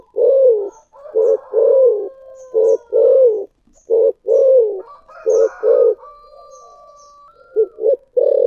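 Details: Thổ sấm-style spotted dove cooing with thúc gù: a rapid run of repeated deep coos, short notes and longer falling ones alternating, with a steady faint higher whistle-like tone in the background.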